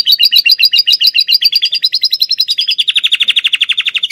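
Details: Lovebird-filled canary song: loud rapid double-noted trill, very even and quick, sliding to a lower, buzzier fast rattle in the second half.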